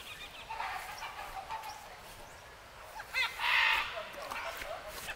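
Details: About 30–40 parrots feeding on fruit in a palm tree one morning in Rondônia, Brazil, give harsh, grating screeches in short overlapping bursts, loudest near the end, with faint human voices in the background.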